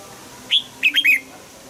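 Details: Red-whiskered bulbul, morning-song training in double-note 'old forest' style: one high whistled note, then three fast connected slurred whistles dropping in pitch, a brief crisp phrase over light background hum.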